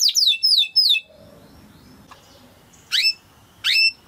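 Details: Timbrado canary song used for training a canary to sing: three quick downward-sweeping chirps, then a quiet gap and two more sharp rising-and-falling notes near the end.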